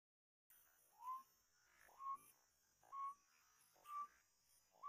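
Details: Tame decoy white-breasted waterhen giving a repeated call: short rising nasal notes, each sliding up into a steady tone, about once a second in a regular series over a faint background hiss.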